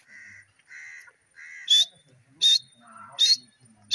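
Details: Captive Grey francolin kept as a pet, calling: nasal drawn-out notes followed by three loud, sharp, high whistled bursts repeating about every three-quarters of a second, with faint low background sounds.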